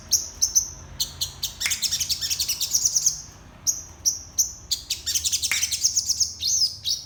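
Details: Morning song from a crested jay in isian style: sharp high chips and short whistles alternating with dense buzzy chattering runs and a few downward-swept notes, over a light low background hum.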